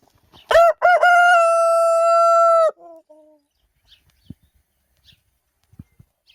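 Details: Rooster crowing in the morning, one of many non-stop crows: two short clipped opening notes, then a long level drawn-out note held about two seconds before cutting off, followed by near silence with a few soft clicks.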